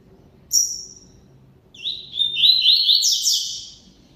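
Double-collared seedeater giving a brief high whistle, then a rapid, buzzy, warbling phrase of slurred notes lasting over two seconds; faint low hum behind.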